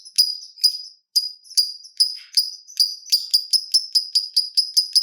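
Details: Fighter-type lovebird in ngekek style, used as a lure so other lovebirds start singing. High, clipped notes repeat about twice a second and then speed up into a rapid, steady chatter.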